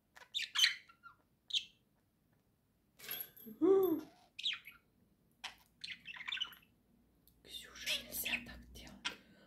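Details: Budgerigar on a swing chattering in an uneven mix of sharp chirps and raspy squeaks, with a lower, rounder tone in the middle and a hissy, noisy stretch near the end.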